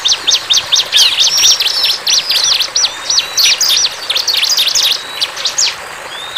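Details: Lively wild bar-winged prinia song made of fast, shrill chirping notes in uneven bursts, with brief pauses and a few thin drawn-out whistles toward the end.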